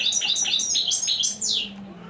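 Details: European goldfinch, praised as a royal, unmatched singer, in a quick run of bright twittering notes that alternate high and slightly lower, about eight in two seconds, ending with a sharp falling sweep; a faint low hum lies underneath.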